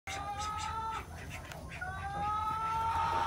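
An Araucana chicken gives two drawn-out, nasal calls, each rising slightly in pitch, with a low murmur of background noise.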